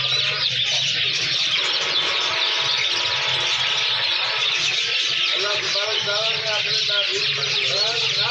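A ringneck parrot chatters without pause in high, harsh, squealing notes, with some warbled, wavering phrases; a steady low hum runs underneath.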